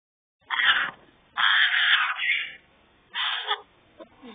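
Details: Three young African grey parrot chicks at a parrot rescue aviary give harsh, raspy, drawn-out calls in three bursts of about half a second to a second, with a brief softer sound at the end.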